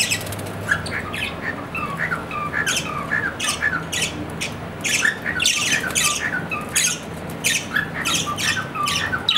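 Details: Chattering pet budgerigar, an Australian parrot: dense, scratchy warbling full of clicks, squeaks and short rising whistles, running almost without a break, with soft room hum behind.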